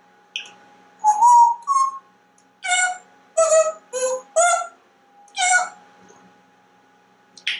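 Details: Talkative male African grey parrot living at home, naming foods and colours: a short whistle, then a string of nasal, voice-like syllables in quick succession.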